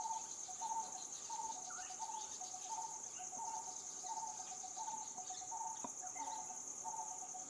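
Coppersmith barbet giving a hollow, metallic 'tuk' over and over, a bit more than once a second, against a steady high-pitched insect drone.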